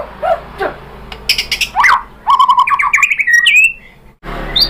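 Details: White-rumped shama song used as a lure to provoke other birds into singing: varied whistled and chattering phrases, a run of rapid notes rising in pitch, and a sharp high note after a short pause.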